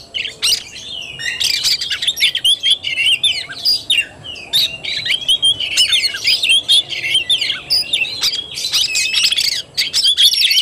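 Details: Oriental magpie-robin in fighting-style song (kacer tarung), 17 August 2021: a long, continuous, energetic stream of high whistles, harsh chips, trills and sweeping slurs with hardly a pause, over a faint hum.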